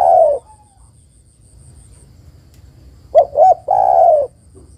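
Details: Female spotted dove calling to a male, a recording used for luring birds: the clip opens on the tail of one coo, then after a pause come two short, hollow hoots and a long, low, slightly wavering drawn-out coo. A faint thin high tone runs throughout.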